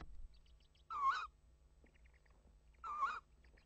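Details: A tawny owl at its nest at 21:20 on 25 March 2015, as the male brings a mouse, gives two short, harsh, slightly wavering calls about two seconds apart, over a faint low hum and soft background rustle.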